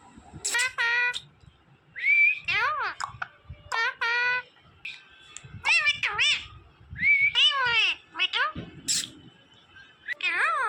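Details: Talking green parrot voicing clipped, speech-like syllables and swooping nasal notes in separated bursts, with quiet gaps and faint household background.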